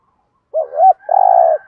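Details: Spotted dove used as a lure to bring in wild doves, giving a two-part rising and falling coo followed by a long, steady, slightly vibrating coo.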